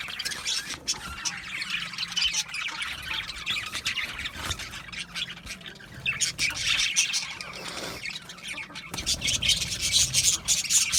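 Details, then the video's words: A group of budgerigars keeps up constant scratchy chirping and squawking, a dense high chatter that swells louder toward the end. "Cute Budgies chirping Sounds | Budgies relaxing Sounds"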